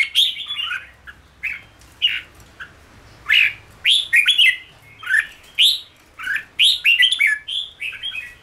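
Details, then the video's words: Caged red-whiskered bulbul in singing training repeats short, clear whistled phrases, upslurs and downslurs mixed with quick chattering notes, steadily through the recording. "Luyện chào mào ché/kích chào mào nhanh ra giọng"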